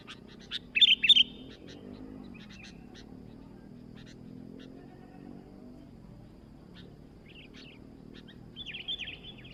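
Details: Sooty-headed bulbul in vigorous song: a loud, rapid burst of bright chattering notes early on, scattered faint chirps, and a softer warbled phrase near the end, with low rumbling background noise.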